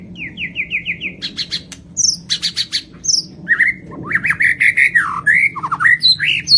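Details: Lampung white-rumped shama singing vigorously with complete isian: a run of five quick descending whistles, bursts of sharp high clicks, then varied rising and falling whistled notes in a rapid, jumpy sequence.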